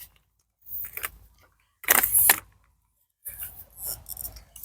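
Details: Three bursts of rustling, clinking handling noise separated by silent gaps, like keys or metal parts being moved indoors; no animal voice heard.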